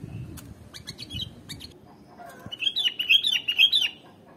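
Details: Sooty-headed bulbul song used to excite other birds: faint clicks and low rustling at first, then a clear rolling phrase of linked whistled notes, rising and falling for just over a second.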